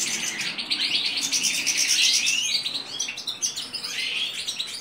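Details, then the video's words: Mutation European goldfinch courting: rapid, high-pitched twittering and buzzy chatter, uninterrupted, with liquid tinkling notes and short descending slurs, steady low background hum beneath. "تزاوج الحسون طفرة"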